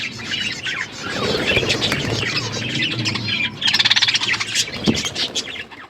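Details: Budgies eating food, mixed chirps and warbles with a rapid burst of evenly spaced high pulses near the end, over low background rumble.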